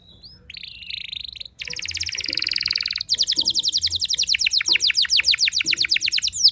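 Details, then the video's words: Lively canary song meant to provoke rival canaries. A soft opening and a buzzy roll give way to a long, fast trill of repeated sweeping notes that grows louder toward the end. "merdunya kicau burung kenari yang membuat galau kenari lain"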